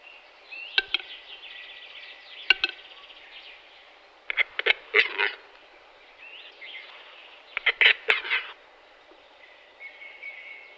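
Western capercaillie giving sharp, dry clicks in short bursts, with high scratchy, hissing phrases between them; faint background hiss throughout.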